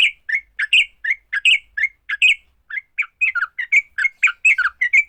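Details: Sooty-headed bulbul fighting song, used to get other bulbuls singing: a fast, uneven run of short, bright chattering notes, some with a sharp upward flick, about 80 per minute. No other sounds.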